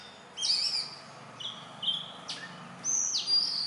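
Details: Indian robin song near homes at morning or evening; a few high sweet whistled notes, some flat and some sharply falling, separated by brief quiet gaps.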